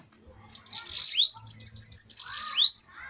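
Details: A short burst of bananaquit duel song: a high, buzzy, hissing trill with two sharp rising slurs and a faint low hum underneath.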